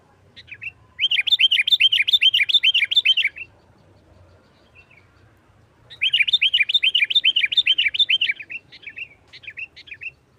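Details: Sooty-headed bulbul in the aggressive 'nggaruda tarung' song style, played to lure other bulbuls: two rapid, evenly paced runs of ringing arched chirps, each lasting over two seconds, followed by a few softer trailing notes.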